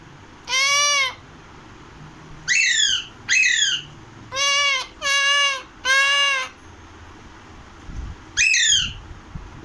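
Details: Loud series of harsh calls from an Alexandrine (Pahadi) parakeet: long arched nasal squawks alternating with shorter downward-sweeping screeches, six in quick succession, then one more after a gap.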